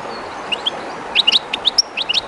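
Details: Keeper's European goldfinch near the Jerte river's current: short bright chirps and twittered notes scattered over a couple of seconds, with the river's rushing hiss underneath.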